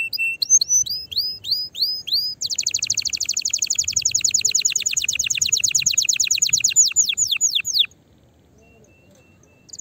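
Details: Canary singing in an excited, fiery style meant to stimulate other canaries to sing: rising whistled notes, then a long fast buzzy trill of repeated notes lasting about five seconds, ending in near silence.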